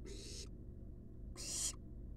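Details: Two rasping, noisy hisses from wild barn owl nestlings at rest inside a research nest box, roughly a second apart, with a constant low background hum between them.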